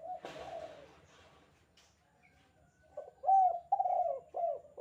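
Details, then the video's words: Spotted dove call, kuk 2 style, for training doves: a short coo and a burst of rustling, a near-silent stretch, then a loud phrase of several clipped, hollow coos. "suara panggilan tekukur kuk 2 gacor"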